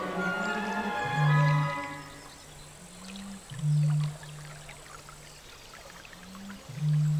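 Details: Eurasian bittern in the Belarusian Poozerye (northern Belarus), between the Svolna and Nishcha rivers: a male's bull-like mating boom from flooded reed beds. Three deep, hollow, foghorn-like booms come about every 2.5 seconds, each led by a short rising intake note, over faint music.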